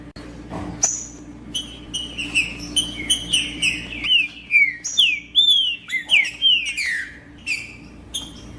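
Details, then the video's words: Free-living green-winged saltator singing in the bush, recorded to stir captive males: a fast run of sharp whistled phrases, many dropping in pitch, repeated roughly twice per second, with a soft background hum and a short noise at the start. "ESQUENTAR TRINCA FERRO RÁPIDO COM TRINCA FERRO NO MATO"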